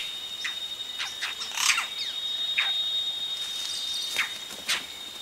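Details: Yellow-rumped cacique chicks at the nest calling as adults arrive, close recording; thin, high, squeaky notes and short rasps at irregular intervals over a steady hiss, with other birds audible.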